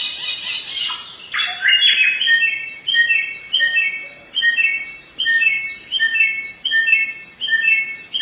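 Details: Samyong singing energetically: after a brief harsh rasp, bright whistled phrases that fall in pitch repeat steadily, each lasting well under a second, in a quiet setting.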